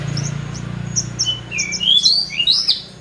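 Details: Horsfield's bush lark in full, lively song: high chirps and quick whistled slides rising and falling, growing busier toward the end, over a steady low droning hum.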